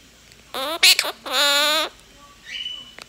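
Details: A tame three-year-old female monk parakeet talks indoors: clipped syllables then a long sustained, even voiced sound, followed by a soft thin whistled note.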